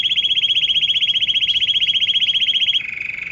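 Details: Canary singing that lured dozens of canaries and goldfinches plus other wild birds: a loud, even, very rapid trill lasting almost three seconds before dropping to a lower, quieter trill.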